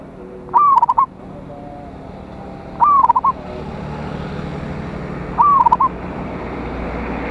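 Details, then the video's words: Local Indonesian zebra dove singing to summon rivals: three trilled coo phrases at roughly two-and-a-half-second intervals, each an upswept note then rapid choppy notes, with a rising hiss of background noise. "Perkutut Lokal GACOR suara Besar Ampuh memanggil Lawan EMOSI MANGGUNG PANCINGAN PERKUTUT"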